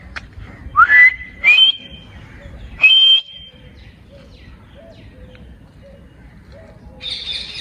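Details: Ring-necked parakeet kept as a talking pet, giving a few rising whistled notes that climb in steps and end in a long, level, clear whistle, followed by faint soft chirps and a brief hiss at the end.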